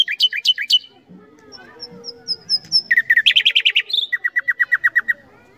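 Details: Common nightingale song: loud falling slurs, then a quiet stretch with thin high whistles, followed by a fast rattling trill and a rhythmic series of clipped, evenly repeated notes.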